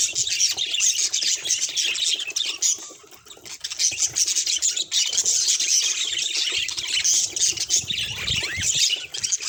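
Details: Captive budgerigar calls, from a set of call types including the 'gigigi' call and the affectionate call: steady high twittering and scratchy warble, a short quieter dip early on, then low rustling near the end.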